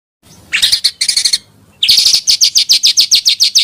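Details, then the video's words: Pancawarna bird call intended for bird luring and song tutoring: two short clusters of rapid high notes, a pause, then an evenly spaced series of sharp, slightly downslurred chirps. "suara burung pancawarna sangat ampuh untuk pikat dan isian"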